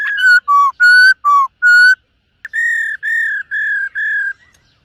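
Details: A silver-eared laughingthrush in morning voice training gives pure whistled notes alternating higher and lower, five in a row, then after a short pause four steady level whistles.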